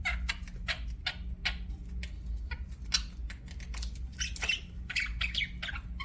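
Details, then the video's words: Budgies kept as pets give scattered sharp chirps and clicks over a steady low hum, some brighter squawky notes near the end. "BUDGIES CHIRPING SOUND"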